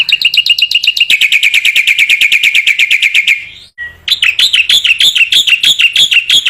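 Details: Black-winged myna singing energetically, a tutor recording meant to train other black-winged mynas to sing: long bursts of rapid, evenly repeated sharp chattering notes, briefly broken by a short pause before a higher, rising series resumes.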